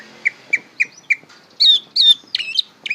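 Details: Young greater green leafbird learning to sing: four short clear whistled notes evenly spaced about every quarter second, then louder, higher slurred whistles and sharp chirps in an uneven run.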